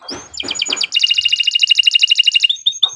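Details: Canary song for training other birds: a few noisy broadband notes, then a fast even trill of bright doubled notes about fifteen per second, ending in short high whistles.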